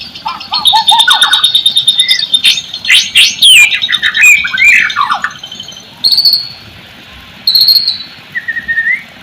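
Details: White-rumped shama song used as a lure to get silent or reluctant shamas singing: varied loud whistles, slurred descending phrases and sharp chips, with a steady high ringing tone behind and brief high trills later.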